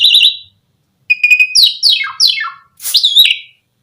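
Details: Asian pied starling singing to draw other starlings into song: a buzzy high note, a gap, then a steady whistle and a series of descending harmonic slurs, ending in a harsh burst and a wavering whistle.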